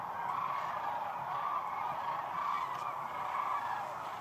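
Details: Sandhill cranes in a huge flock on the Platte River at the peak of their northern migration, several hundred thousand birds in view; a steady, distant roar of overlapping rolling calls fills the air, with no single bird standing out.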